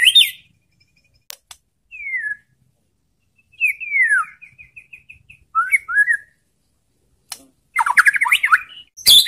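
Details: White-rumped shama provoking song (pancingan): scattered clear whistles with long gaps, one descending slur, then a short run of repeated rising notes and a closing jumble of quick squeaky phrases.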